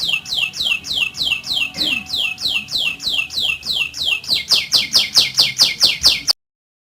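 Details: Canary rolling song for training other canaries to sing: evenly repeated downward-sweeping whistles about three per second, changing to sharper, louder pulsed notes before stopping abruptly.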